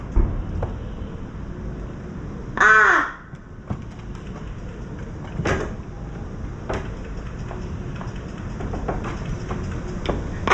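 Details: Juvenile crow born May 2024, already parent-sized with a red bill, begging its parent for food close to the camera: one loud, harsh, harmonic 'kkaa' lasting under half a second, amid steady background hiss and scattered knocks.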